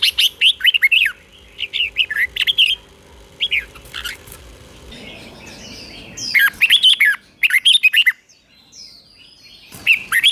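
A Red-whiskered bulbul sings bright, bubbly whistled phrases in quick bursts, separated by short pauses, over a faint low background hum.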